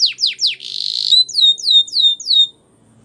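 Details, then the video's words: Belgian canary singing a training song: quick downward-sweeping whistled notes, then a fast buzzy trill, then a run of six clear descending slurred whistles repeated at an even pace, in a quiet room. "The Most Magical Training Belgian Canary"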